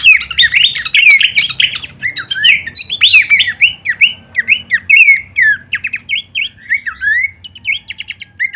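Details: Horsfield's babbler kleperan song as masteran for songbirds: opens with a dense scratchy chatter, then settles into separate whistled slurs and short trills spaced about half a second apart.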